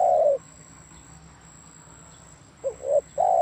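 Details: Spotted dove song of low, mellow coos: a long coo fading out, a quiet gap, then two quick short coos leading straight into another long sustained coo, over a soft continuous hum.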